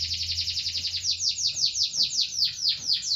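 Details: Canary singing in the seri loper style, a fast run of high, sweeping, downward-slurred notes repeated about five times a second without a pause, bright and piercing, over a faint low hum.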